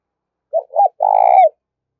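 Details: Decoy spotted dove used to lure wild birds, giving a low cooing phrase: a short note, a second note, then a long rolling, slightly vibrating coo ending in a falling tail; quiet background.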